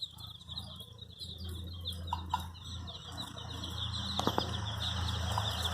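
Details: Brightly coloured chicks seeking their mother chirp in a busy, overlapping chorus of sharp, high peeps over a low steady hum, with a couple of brief clicks.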